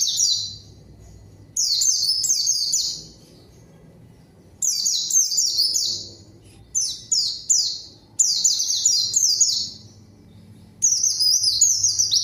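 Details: White-eye song of the zosterops, played to draw a rival and set silent birds singing; repeated bursts of sharp, high, downward-sweeping chirps strung together, pausing between phrases, faint background hum.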